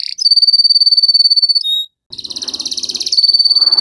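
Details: Canary singing energetically, played to prompt silent canaries into singing: long, fast, high buzzy rolled trills repeated many times per second, a brief pure whistled note, a short silence, then further pulsed rolling trills.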